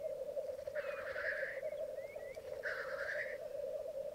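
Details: Black grouse cocks lekking at dawn on a bog in Mykland, May 2022, twelve males and two hens: two harsh hissing bursts about two seconds apart over an unbroken low bubbling drone.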